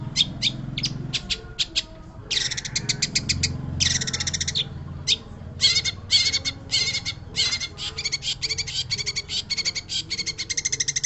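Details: Long-tailed shrike in energetic song: long series of rapid, rasping chattering notes and trills, some phrases sustained and buzzy, others clipped and stuttering, over a steady low background rumble.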